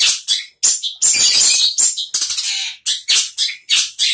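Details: Caged long-tailed shrike singing energetically right after its cage cover is removed: loud, harsh, scratchy high bursts and chattering notes in rapid uneven succession, about three per second, with brief gaps.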